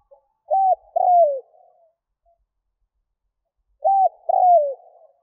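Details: Spotted dove cooing to lure wild doves, two clean phrases about three seconds apart, each a short level coo followed by a longer falling croo, in quiet surroundings.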